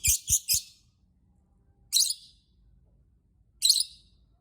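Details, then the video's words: Lovebird calling to draw other lovebirds into song: a quick run of three harsh high chirps, then two single shrill bursts spaced well apart, with low thumps at the start. "Burung Lovebird Berkicau Pancing lovebird lain"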